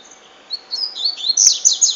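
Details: Double-collared seedeater singing in the style called "cachoeira": a fast, high twittering phrase of buzzy, sliding notes that grows louder and climbs into a bright, rapid trill.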